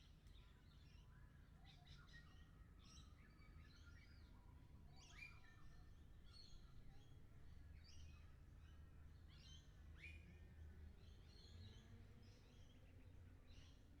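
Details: Lorikeets recorded in 360 VR: a busy chorus of harsh, screechy chattering calls from several birds, short bursts overlapping and tumbling over one another throughout, over a steady low rumble of background noise.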